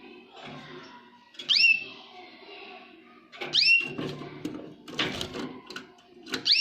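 A Jaspe canary gives short, bright whistled phrases that sweep high then slur down, about every two seconds, over indoor clatter and knocking.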